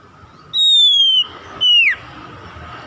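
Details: Oriental magpie-robin (kacer) song meant to prompt other kacer into singing: two pure descending whistles, the first long, the second shorter and ending in a steep downward slide.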